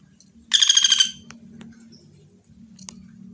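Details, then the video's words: Common flameback, called pelatuk bawang, in a clear-voiced training recording: a single fast rattle of about ten harsh, buzzy notes, then soft background murmur and one faint click. "masteran burung pelatuk bawang suara jernih|burung pelatuk bawang gacor dor"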